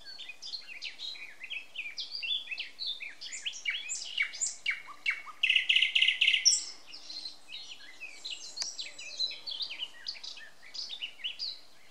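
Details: Dawn chorus of small birds on a May morning in 2020, Samara Oblast, Russia: dense overlapping high chirps, whistles and rapid trills, including a loud run of five evenly spaced notes near the middle.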